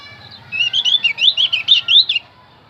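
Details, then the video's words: Javan grey-throated white-eye singing, used as a lure for wild birds: one rapid, bright warbling phrase of high looping whistles lasting under two seconds, clean and close. "opior Jawa pasti nyaut pancing dengan Opior Jawa ini"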